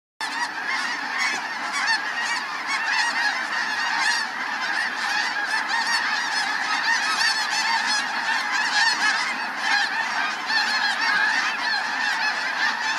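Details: Flock of snow geese in flight at sunset over Sonny Bono Salton Sea National Wildlife Refuge, giving a dense, continuous chorus of overlapping high nasal honks and yelps with no pause throughout.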